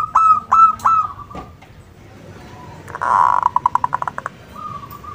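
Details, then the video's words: Local zebra dove song used as a lure to prompt answering birds: three sharp whistled notes, then a soft pause, a fast rattling series of about ten pulses, and a closing level whistle. "SUARA PERKUTUT LOKAL - Pancingan Ampuh bikin Nyaut"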